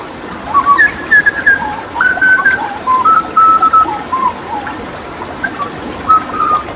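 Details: Papuan Hooded butcherbird in lively tutor song with water therapy: a string of clear whistled notes stepping between high and lower pitches, some held level, some slurred downward, ending in a short pause and a final fluty note; faint background hiss.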